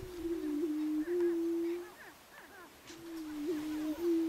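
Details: Greater prairie chickens on a lek at a ranch in Nebraska, recorded in 2011: low, steady moaning boom tones held for about a second each, overlapping, with faint higher whoops and cackles above.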